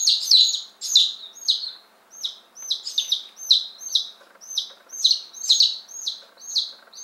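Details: A batch of ten Appenzeller Spitzhauben and five White Crested Blue Polish chicks, one day old and just delivered in May 2015, peeping nonstop; shrill descending notes from many chicks overlap in a rapid, busy chorus.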